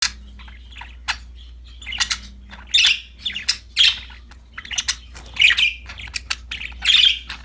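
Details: Pet budgerigars, described as happy and playing with a new toy, give scattered harsh chirps and squawky notes, several loud bursts spaced a second or so apart over a low steady hum.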